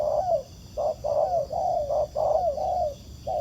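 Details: Close, loud cooing of a wild spotted dove drawn in by a ground decoy in a trapping session: a rapid run of blurred, descending coos almost without pause, mellow and throaty.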